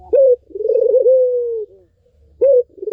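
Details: Cooing of a Barbary dove, played to coax a silent bird into singing: a short sharp upward note, then a rolling, pulsing coo that settles into a long, steady, low tone which fades and dips. The next phrase begins near the end.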